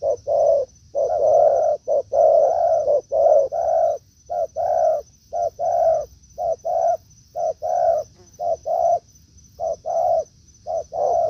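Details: Decoy and wild spotted doves cooing in a forest: loud, steady rows of low hollow notes, some brief, some longer and swelling, about once a second, with a continuous high whine in the background.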